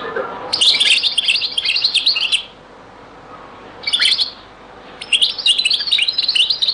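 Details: European goldfinch in a very old recording of the Beni Messous 'les avocats' (zaboka) song style: rapid, high, tinkling twitters and buzzy trills in two long bursts, with a short burst between them and brief pauses.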